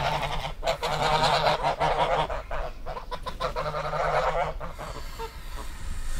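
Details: Goose honks come fast and overlapping, about three per second, in two loud bursts before fading into quieter scattered calls at the end.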